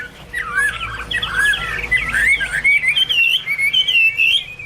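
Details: Hwamei song from Garrulax canorus: a continuous stream of fluty, warbling whistles that wander up and down, loud and clear over a faint background hum.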